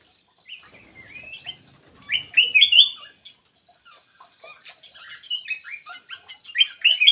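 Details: Black-crested bulbul lure call: short bubbly whistled phrases rising and falling, a soft chatter at first, then a louder burst of warbled notes near the middle and another toward the end, with a thin steady high tone early on.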